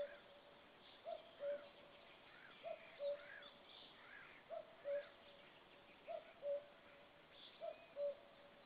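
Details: A Common cuckoo, back for summer, gives its soft two-note 'cu-coo', the second note lower, five times about every one and a half seconds over faint birdsong, heard at a white-tailed eagle nest on 4 May 2013.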